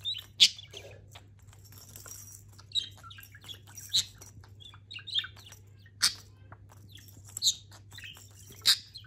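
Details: Pet budgerigar playing with a rotating toy with bells gives scattered high, scratchy chirps and sharp clicks over a low steady hum.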